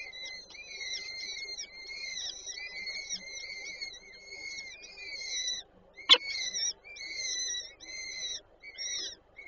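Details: At a peregrine falcon nest in Warszawa Żerań, Poland, 8 May 2023, with the female feeding her chicks, a near-continuous run of high, squeaky, wavering calls plays, interrupted once by a sharp click.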